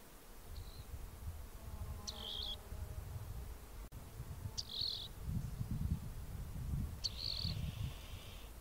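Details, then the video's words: Singing rock wren delivering brief buzzy trilled phrases at irregular intervals of two to three seconds, with a steady low rumble of wind or background noise underneath. "Rock Wren Bird Song"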